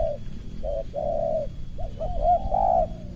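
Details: Spotted dove competing against a lure bird, calling in the close suara rapat ngeruk style: a short coo, then two longer level coos, followed by a rising, wavering string of soft coos ending in a drawn-out note.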